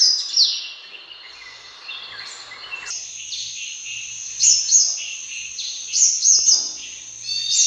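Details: Sunbird calling, offered as a hunting call: steady, high, thin twittering with recurring bursts of sharp, rapid chirps every second or so.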